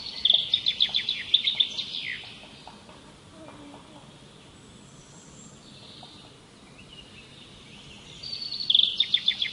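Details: Birds singing for relaxation: bright rapid trilled phrases of repeated notes open and close the recording, separated by several seconds of quiet with faint distant calls.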